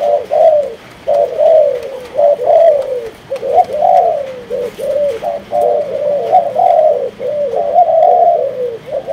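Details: Malaysian-line spotted dove kept in captivity delivers a steady run of throaty coos. Short phrases of two or three notes each end in a drawn-out falling note, repeated about once a second, with faint background clicks.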